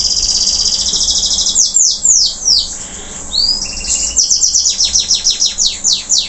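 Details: Local canary after moulting, still singing vigorously: a dense, very high buzzing trill opens, then loud downward-sweeping notes, a brief flat whistle and a fast run of repeated sharp sweeping notes to the end.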